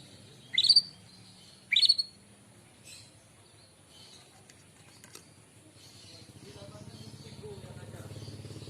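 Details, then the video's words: White-rumped shama singing in the morning, used as a lure for other birds: two loud upslurred whistled notes about a second apart, then a low mechanical hum. "Kicauan burung murai pagi hari bagus untuk pancingan"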